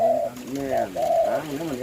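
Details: Spotted dove cooing: two-note phrases of steady, mellow cooing notes, each held about a third of a second, repeating over a low background.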